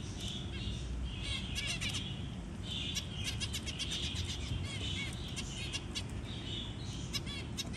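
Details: Zebra finch parent feeding a tiny newborn chick; dense, rapid harmonic chirps and repeated buzzy nasal notes almost throughout, over a low steady hum.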